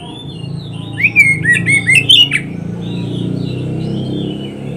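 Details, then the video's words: Song of an oriental magpie-robin, used for training caged birds: a quick burst of bright, varied whistles and sharp notes, then softer distant warbling over a steady low hum. "SUARA KICAUAN BURUNG KACER TERBAIK"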